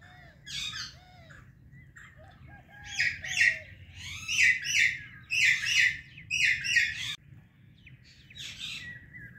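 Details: Pet pair of an Indian ringneck and an Alexandrine parrot chirping loudly in the morning: harsh, harmonic chirps in bursts of two or three, loudest mid-clip, with a few soft, lower whistled notes between them and a faint low hum indoors.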